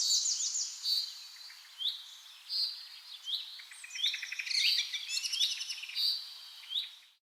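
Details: Birds singing together in a Scottish forest, a chorus of bright whistled phrases and chirps repeated every second or so, with a dense burst of rapid trilled notes partway through before fading out.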